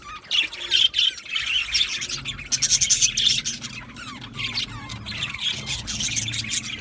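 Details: Aviary budgie colony chirping and singing, overlapping high chatter with short upward-swept whistled notes among squawks.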